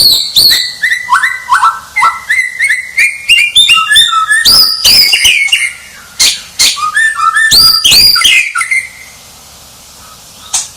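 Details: Champion white-rumped shama in a long, rich run of whistled notes stepping up and down, mixed with rapid sharp clicks and harsh bursts, then a brief quiet end.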